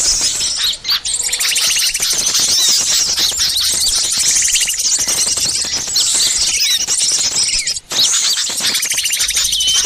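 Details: Dense chorus of many small birds used as a lure call to draw wild birds down, a constant mass of high, sharp chirps, twitters and trills with no pauses, sounding busy and noisy throughout.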